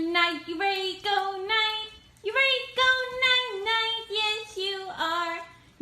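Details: A voice sings a melodic, wavering tune in short phrases, with no animal sound heard.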